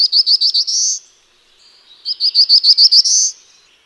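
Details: Two song phrases from a black-throated blue warbler: a quick string of buzzy, evenly spaced notes climbing into a drawn-out buzzy ending, separated by a roughly one-second gap, no other sounds.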